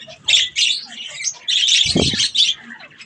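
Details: While eating strawberries, budgerigars utter bursts of harsh chirping chatter separated by brief pauses, with a soft low thump partway through.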